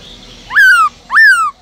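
Black-throated laughingthrush giving two loud, rich whistled notes about half a second apart, each rising sharply then sliding slowly down.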